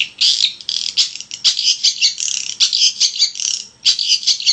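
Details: Long-tailed shrike in full, energetic song, used as a lure to make other shrikes sing: an almost unbroken stream of loud, high, grating and chattering notes with few pauses.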